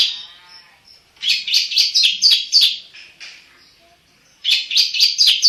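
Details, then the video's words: A black-headed long-tailed shrike sings loudly, pouring out fast runs of rasping, chattering notes about four per second, in two bouts split by a quiet gap with soft whistled notes. "burung cendet kepala hitam gacor"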